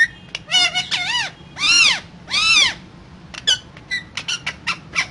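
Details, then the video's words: Parrot said to be talking, giving arched, looping harmonic calls followed by a scatter of quick clicks and short chirps. "Raw Parrot Talking So Cute"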